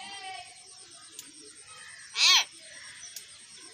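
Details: A talking myna plays in a garden and utters a single loud, arched, ringing note lasting a quarter second, set against constant high-pitched background buzzing and soft ticks.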